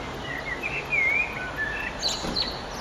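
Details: Eurasian blackbird song at sunset, 9 June 2011: a mellow whistled phrase of gliding, wavering notes that ends in a thin, higher twitter, with a constant hiss of background noise.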